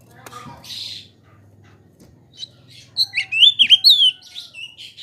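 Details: Oriental magpie-robin sound used to provoke other kacer: low humming and a harsh burst at first, then a lively run of high whistled and slurred notes in the second half.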